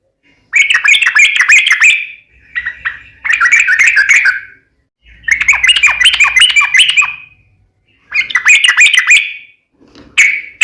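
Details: Sooty-headed bulbul singing hard in 'gacor tarung uplik ropel' style. Dense buzzy chattering bursts of about two seconds each, full of rapid squawky notes, are separated by short pauses.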